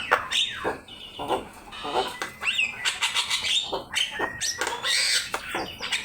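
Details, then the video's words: Javan myna in full song for a bird-training master: a dense, noisy stream of rasping chatter, scratchy notes and brief upward-slurred whistles with little pause between them. "Suara jalak kebo gacor"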